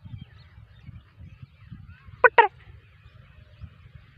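A black francolin gives two quick, harsh, grating notes in close succession, over a low rumbling background.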